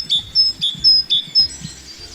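A tit gives bright, high whistled notes in quick pairs, a clear note then a slightly lower one, repeated about every half second over a faint low hum.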